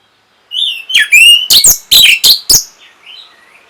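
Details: Orange-headed thrush song for triggering breeding arousal and a reply: a slurred whistle opens, then five loud, rasping broadband notes in quick succession, trailing off into soft, thin whistled fragments.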